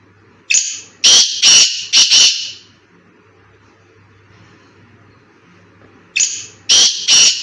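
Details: A black francolin calls in a forest, giving a loud, harsh, grating phrase of four or five rasping notes, then pausing and starting the phrase again, over a faint low hum.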